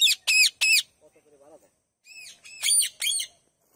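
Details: Parrots calling in the morning: loud, harsh, rasping squawks in quick pairs, with a softer, lower chattering phrase between them.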